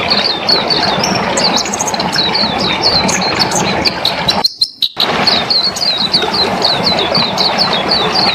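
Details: Orange-headed thrush of the dakun variety in energetic ngelas song: a steady stream of high, clipped chirps and short slurred notes, briefly broken by a silent gap, set against a constant hiss of background noise.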